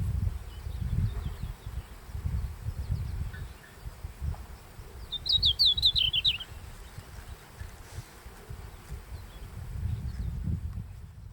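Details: Singing red-flanked bluetail at sunrise in the Daisetsuzan mountains in early July: a single quick, high, zigzagging phrase stepping downward, heard once midway, with wind rumbling throughout.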